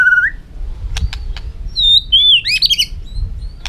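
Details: White-rumped shama giving a clear whistled note, a few sharp clicks, then a long rising whistle sliding into a rich warbled flourish.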